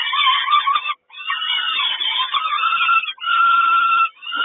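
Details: Peregrine falcon nest in Kawęczyn, 3 June 2022, mother bringing breakfast: sustained grating, screeching calls with a steady nasal whine, interrupted by a short silence near second one and a dip near second three.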